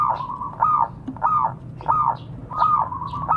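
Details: Local zebra dove calling to others, a recording meant as a lure. Soft, arching coo notes come in a quick rolling series, roughly every half second. A faint low rumble sits underneath.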